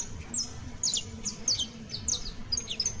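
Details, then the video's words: Saffron finch song meant to help Creole canaries learn: clear, high, downward-sweeping chirps, about two each second, with faint low hum beneath. "EL CANTO DE ESTA AVE VA A SERVIR PARA AYUDAR A TU CANARIO BASTO CRIOLLO [Sicalis Flaveola]"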